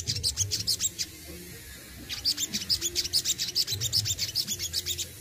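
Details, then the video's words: Crimson Sunbird (sogon), kept for its song, giving besetan and tembakan phrases. Bright, sharp, high chips come in quick rhythmic runs, roughly two to three per second, after a short pause. "SOGON ISTIMEWA ,BESETAN DAN TEMBAKANYA WOW BANGET"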